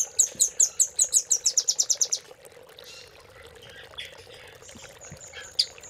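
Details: Velvet-fronted nuthatch master song in the Cililin style, used as filler for training caged birds: a rapid rattling series of about twelve piercing high notes over two seconds, then sparse single chips, with a constant low hum behind.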